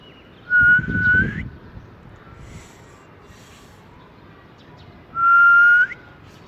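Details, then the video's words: Ring-necked parakeet, a talking bird, out in cool weather, gives two level whistles that each end in a quick upward flick, about four seconds apart, with a short low rustle after the first. "Ring Neck Parrot"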